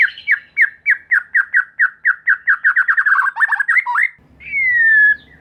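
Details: White-rumped shama lure song meant to make other shamas and juveniles sing: about twenty quick, repeated chattering notes speeding up into a tumbling run, then one long, steady, falling whistle.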